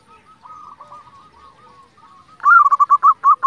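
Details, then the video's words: Local zebra dove song meant to stir other zebra doves into singing; softer distant cooing runs first, then a loud close phrase of a drawn-out coo followed by quick, evenly broken pulsing notes. "pancingan perkutut lokal gacor"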